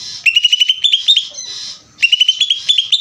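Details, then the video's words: Greater green leafbird singing ngeder: two rapid bursts of high, sharp, repeated notes, each slightly rising and about a second long, separated by a short breathy pause. "cucak ijo ngeder"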